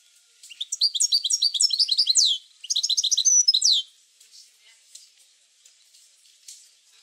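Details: Goldfinch singing in a recording meant to spur other goldfinches into song: two rapid bursts of liquid, twittering notes separated by a brief pause, each with chattering high trills, followed by faint scattered chips.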